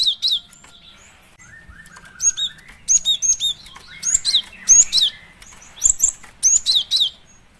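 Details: Female cinereous tit calls used as a lure: bursts of two to four very high, sharp chirping notes recurring irregularly, with a fainter, lower drawn-out whistle running between the bursts.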